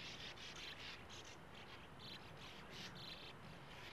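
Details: Breeding sand martins at burrows in a small steep earth bank at a gravel-pit lake. Quick scratchy chirrs repeat several times a second in short clusters over a steady background hiss.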